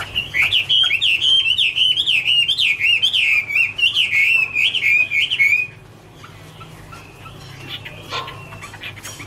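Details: Chinese hwamei (Garrulax canorus) giving the 2017 "Autumn Love Song": nearly six seconds of rapid, rippling whistled notes at a steady pitch, then an abrupt stop followed by quiet with faint distant chirps.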